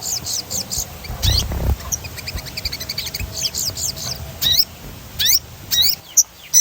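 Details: Crimson sunbird chattering song, used as playback to encourage singing: thin high chips and steep downward slurs in irregular bursts, with a brief low thump early on.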